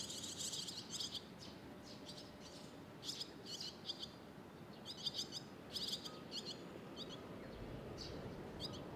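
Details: Barn swallow young in Sendai, June 2021, waiting together for food; a chorus of thin, high chirps in tight clustered bursts, repeated every second or so with short gaps, over a low background rumble. Recorded with a RODE VideoMic NTG.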